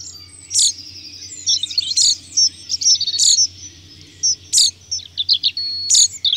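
Chaffinch singing bright, high notes, with sharp emphatic strokes about every one to one and a half seconds amid quicker twittering; a faint low hum underneath.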